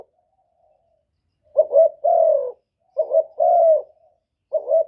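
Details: Vietnamese spotted dove cooing to stir up rivals, Cà Mau: a series of low hollow phrases, each with quick broken notes leading into a drawn-out falling coo, repeated roughly every one and a half seconds in a quiet setting.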